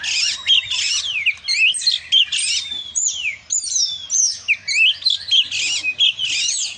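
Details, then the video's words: Vigorous song of an oriental magpie-robin: continuous quick phrases of swooping whistles, sharp chirps and harsh scratchy notes, closely packed with only brief pauses. "dengar suara burung kacer si gacor ini"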